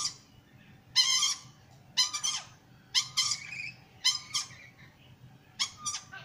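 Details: Curious sulphur-crested cockatoo investigating the camera gives harsh, raspy screeches, some doubled, roughly once a second, over a faint low indoor hum.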